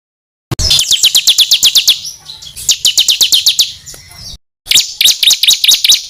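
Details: Songbird master recording meant as song material for contest birds. Sharp high chirps come in quick runs of about ten, separated by short gaps, with one silent break before a final run.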